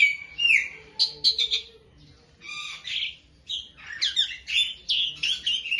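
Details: Masteran tutor song of a beginner Asian pied starling: a falling whistle, then bursts of harsh chattering notes separated by short pauses, with scratchy squeaks rising toward the end.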